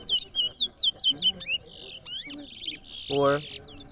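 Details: Large-billed seed-finch (towa towa) singing during a competition round at Rosignol, Berbice, Guyana: a run of clear, rising-falling whistles about five per second, followed by a sharp buzzy burst and a noisy thump.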